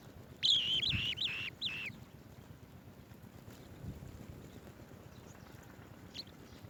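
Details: A swallow-tailed bee-eater feeding bees to chicks utters a quick cluster of three or four rolling chirps in the first two seconds, followed by near silence with faint hiss.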